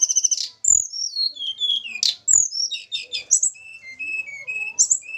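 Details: Tledekan gunung from Java, recorded during pairing and described as sweet-voiced: a bright, whistled descending run of notes, then buzzy chattering and a series of steady, level whistles.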